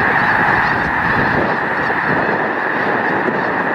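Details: Huge winter gathering of snow geese, over a million birds, at Loess Bluffs refuge; a loud, seamless babble of honking fills the air, steady throughout with only slight dips in intensity.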